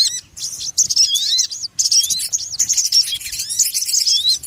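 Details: Trapping lure of sogon birds: continuous excited chatter of thin, high twittering notes and quick rising slurs, dense and busy throughout.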